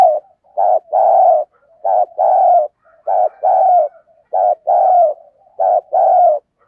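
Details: Decoy dove calling to excite wild doves: loud, deep coo phrases, each a short note then a longer hollow one, repeated in a steady rhythm about once a second.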